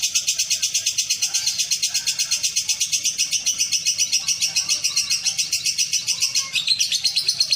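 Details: Lovebird that won first place at a bird contest in Betung, Banyuasin, Palembang: a long, fast, unbroken run of high, shrill chattering notes, about four per second, throughout.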